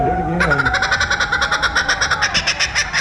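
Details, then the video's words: A captive laughing kookaburra in a SeaWorld animal ambassador area, prompted by a man, breaks into a fast, harsh chuckling of rhythmic repeated notes, nearly two per second, just after the man's voice speaks over it. "right behind me is a laughing kookaburra. Maybe it will do its call for us if we're lucky."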